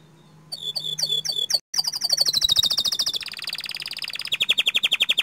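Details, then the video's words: Panda canary singing over a faint low hum: a few chirped notes, then a long rapid trill sliding gradually downward, followed by an even pulsed roll. "Suara Kicau Kenari PANDA Gacor Ngerol Nembak Panjang MANTAP"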